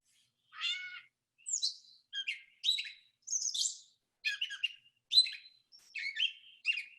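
Gray catbird giving a single nasal, cat-like mew, then a jumble of varied squeaky, bubbly phrases about every half second.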